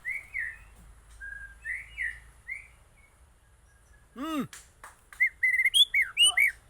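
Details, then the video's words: Aceh white-rumped shama song: soft whistled phrases, then a loud descending squeak, followed by a burst of sharp, rapid chirps and swept notes. "Murai Aceh"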